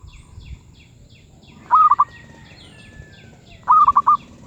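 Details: Zebra dove cooing at medium pitch, two short bursts of four fast, rolling, stuttering notes about two seconds apart, over low background hum.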